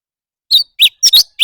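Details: Leafbird singing competitively, a quiet pause followed by five sharp, high twittering notes, one a rapid double chirp, each short and clean against silence.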